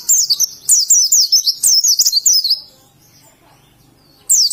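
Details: High, bright twittering of an oriental white-eye from Indonesia in ngalas style: about two and a half seconds of fast, looping chirps, silence, then a fresh burst at the close.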